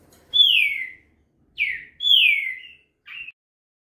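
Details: A young Green-winged saltator (trinca-ferro chick), a fast singer said to deliver 21 songs per minute, gives loud, clear downward-sliding whistled notes. There are four quick phrases in under four seconds, with a short burry note at the end.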